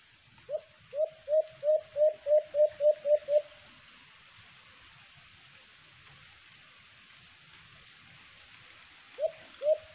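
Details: ['Alimokon, the white-eared brown dove, heard while cage trapping: about eleven quick low hoots in a rushed, slightly accelerating series, then a long quiet gap before two more hoots start again.']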